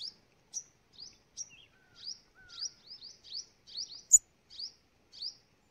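A sunbird gives a run of short, high, thin chips and upslurred tweets, about two per second, with a few lower whistled notes; background otherwise quiet.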